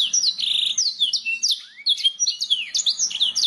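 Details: Training song of a canary, meant to get other birds singing: quick trilled phrases, bright slurred notes and sharp chirps following one another rapidly, with one lower rising whistle near the middle.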